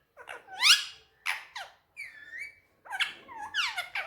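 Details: Male Indian ringneck parakeet talking on a table indoors in Urdu/Hindi: a run of short squeaky, rising and falling syllables with harmonics, some whistled glides, separated by brief pauses, no other sounds.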